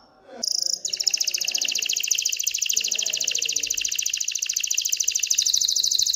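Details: Excited canary singing to stimulate hens to pair and build a nest: after a brief opening note, one long, steady, very rapid high trill continues without a break.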